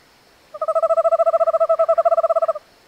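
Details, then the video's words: A North American owl calls with a rapid, even pulsed trill lasting roughly two seconds, holding a level mid-range pitch throughout, with no other clear sounds. "Sounds of the North American Owl. Singing North American Owl"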